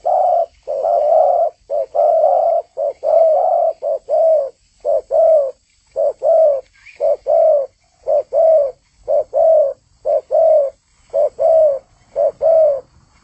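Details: Spotted dove singing energetically. A long, steady train of paired coos, short then long, repeats roughly once a second, with one faint higher note from another bird.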